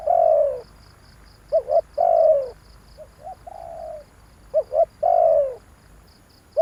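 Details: Spotted dove calling for use as a lure, with loud falling coos alternating with quick double notes, plus one softer, weaker phrase, in a slow, uneven rhythm. Regular high ticking pulses accompany it.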